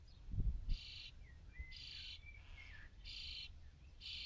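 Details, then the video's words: Nearly fledged young common starlings beg for food constantly, with harsh, raspy hissing bursts about once a second between thin whistled notes and a few low thumps, driving the parents to keep feeding them. "Hungry Starlings"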